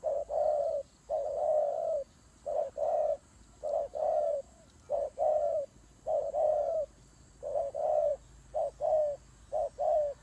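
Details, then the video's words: Turtle dove during a fight, giving low cooing phrases, each a short note followed by a longer, slightly falling coo, repeated steadily through the clip with brief gaps. "God dove Fighting"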